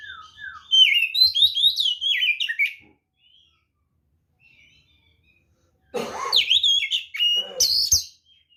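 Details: White-rumped shama singing a provocative fighting song to goad rival birds into responding: a fast run of varied whistles and chirps, a pause of about three seconds, then a harsher, rasping burst mixed with high sliding whistles.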